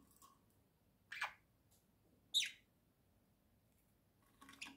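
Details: Two pet budgerigars indoors, one sitting in its little house with the other close beside it: three short, harsh, downward-sweeping chirps about a second apart, with a quiet room hum beneath.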